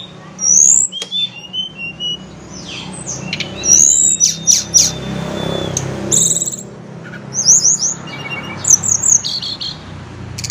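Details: Tledekan gunung, the blood-breasted flowerpecker, noted for answering mornings and afternoons: scattered bursts of very high, sharp chipping notes and short thin trills between pauses, with a steady low background hum.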